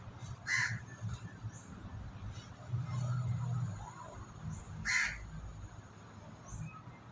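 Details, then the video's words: A crow calls twice with coarse, nasal caws about four seconds apart, over a steady low murmur of background noise where white pigeons peck at food. "Suara Gagak"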